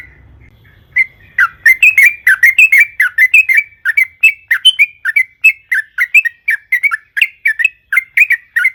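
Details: After a second of quiet, a sooty-headed bulbul launches into a fast, continuous chattering run of bubbly whistled notes, the excited long rolling song used as a lure for other birds.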